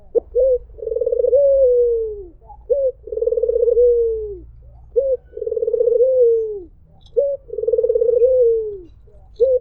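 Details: White Barbary dove sounding its melodious 'mpuk jeruuu' call. Sharp short 'mpuk' notes alternate with long rolling coos, each swelling and then falling away, repeated at an even pace over a soft low hum.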